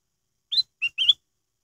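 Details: A black-headed bulbul's lure song, used to spur other birds into song: a quick whistled triplet of rising, flat and warbled notes, crisp and isolated against silence.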